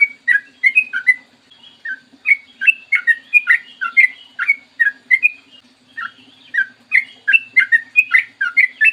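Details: Sooty-headed bulbul with a long, clear morning song for drawing other bulbuls into song: lively phrases of quick whistled and slurred notes, grouped in twos and threes, almost continuous with one brief pause, and a faint low hum.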